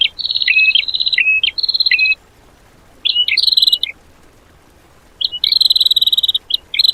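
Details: Filler song for teaching caged birds, 'tembakan' style: clusters of high, sharp whistled notes with downward kinks, three groups divided by pauses, the last with a faint very high overtone line.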